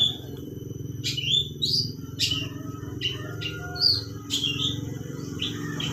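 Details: Long-tailed shrike singing a song filled with lovebird imitation: sharp, high chirps and short squeaky whistles in uneven bursts, over a steady low hum and background murmur.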